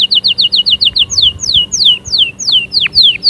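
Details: Caged canary singing: a rapid run of short downward-sweeping notes, then slower, longer descending whistled slurs repeated about every quarter second, bright and high-pitched, with a faint low hum beneath.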